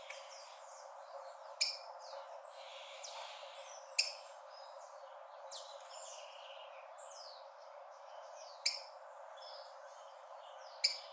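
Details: Rufous-collared sparrow (tico-tico) giving a challenge call used to stir birds' fighting spirit at the start of the breeding season: sharp, high, explosive chips at irregular intervals, five in eleven seconds, over a busy background of faint twittering birds and steady hiss.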